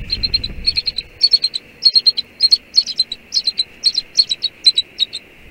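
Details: A bald eagle pair at Two Harbors, Catalina Island, California, reinforce their bond on 11 January 2019, giving high, thin chittering bursts of quick piping notes, roughly two bursts a second, over a steady faint hiss.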